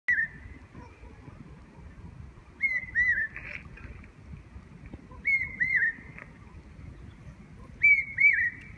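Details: Large hawk-cuckoo (Hierococcyx sparverioides) giving shrill, whistled two-note phrases, repeated about every two and a half seconds, over a low background hum.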